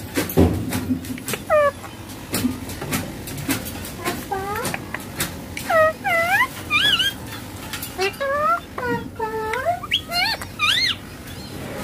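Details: Ringneck parakeet chattering as a mobile phone plays nearby: many bent, nasal, harmonic syllables in quick runs, some rising sharply, with tapping clicks and low background hum throughout.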